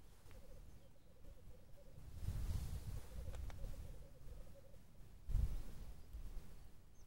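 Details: Male black grouse recorded in 2014 gives a low, bubbling run of rapid notes for about four seconds, against heavy low wind rumble and a thump.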